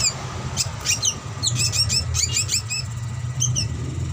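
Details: Young drongo on a master lure track: sharp high chirps in short irregular runs and pauses, backed by a continuous low hum.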